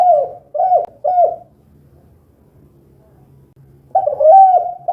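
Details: Spotted dove calling 'kuk 2' style, noted as gacor: three quick low coos, each with a small upward flick, then a gap of faint low hum, then another run of coos ending in a longer note.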